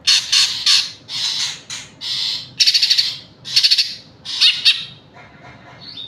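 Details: Energetic green leafbird song opening with rattled, chattering high bursts, then hoarse buzzy phrases and crisp pulsed trills, fading into softer notes and a final short whistle.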